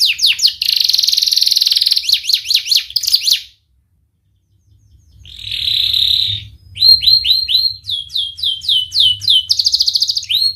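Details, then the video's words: Lure canary song for training young canaries: buzzy trills and looping whistles, a brief silence, then a buzzy trill and crisp repeated 'wit wit' notes and trills. "Kenari Gacor speed Rapat WIT Wit Tajam Cuit cuit ngeroL, pancingan kenari PAUD BELAJAR BUNYI"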